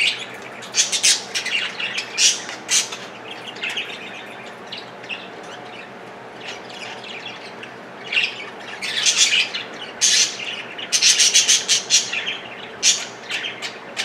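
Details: Male budgerigars chatter in bursts of high, scratchy chirps and squawks, rising and falling irregularly, as they vie to stand on broccoli, fluffed up and intense as if ready to mate.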